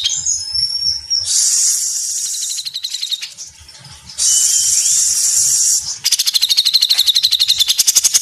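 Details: Grey-cheeked bulbul (cucak jenggot) song in the lively, dense 'mesetan' style: long harsh hissing bursts alternate with rapid high repeated notes, ending in a fast, even rattle of about a dozen notes per second.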